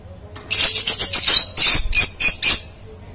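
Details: Lovebirds kept on a breeding farm give loud, harsh, high-pitched squawks in quick overlapping bursts, about a dozen sharp notes within two seconds, before fading to quiet.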